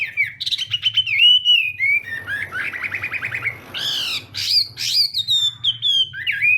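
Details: Chinese hwamei in morning song practice: clear whistles, a quick trilled rattle, harsh buzzy bursts, then bright descending whistled notes, with a faint low hum.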